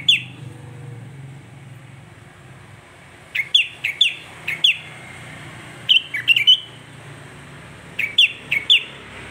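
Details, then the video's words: Sooty-headed bulbul singing to rouse other bulbuls. Quiet at first, then brisk groups of two to four clear, slurred whistled notes recur every second or two over faint background hum. "Hanya hitungan detik kutilang lain pasti ikut emosi"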